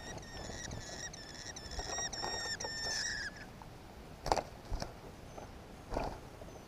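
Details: Red-backed shrike at its nest near Pankino, 27 July 2014, where the male gave the female a grasshopper: a quick series of thin, high, slightly buzzy notes for about three seconds, then dull knocks and rustling.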